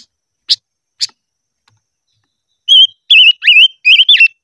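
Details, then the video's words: Silver-eared mesia practising its song in the 'hót ché' style: two isolated sharp chips, a pause, then a fast string of looping, wavering whistles at a steady high pitch with quick downward slurs. "Chim ngũ sắc hót hay luyện giọng - ngũ sắc hót ché / tsheeb quaj"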